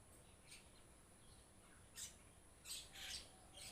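Mynas give harsh, raspy squawks in short bursts, five or so in under four seconds, with some overlapping, over a steady background hiss.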